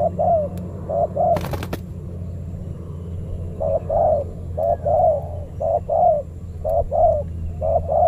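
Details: Territorial male spotted dove in a banana plantation, Indonesia, confronted by a decoy dove during trapping; repeated low mellow coos in short phrases, with a brief sharp click or knock early on and a low rural hum beneath.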